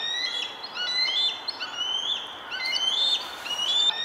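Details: At Centerport, 6 May 2019, a mother bald eagle keeps calling as she guards her eaglets against a juvenile eagle: continuous shrill, squeaky piping notes in overlapping runs, some rising and wavering, over a faint background hiss.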